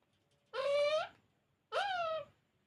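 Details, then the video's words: Talking parrot producing two sustained, rich, nasal-sounding utterances about half a second long, the second bending up then down, in a quiet room. "Talking parrot"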